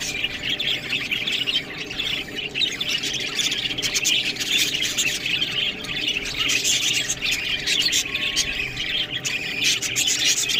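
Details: Pet budgerigars at a meal of green food, calling together in an unbroken high chatter of warbles, chirps and harsh squawks.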